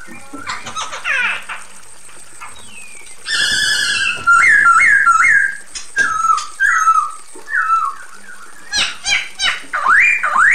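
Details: Female Chinese hwamei calling the male with a varied mix of soft chatter, a loud harsh rich note, quick rising-falling whistles in series, and closing looped whistled slurs.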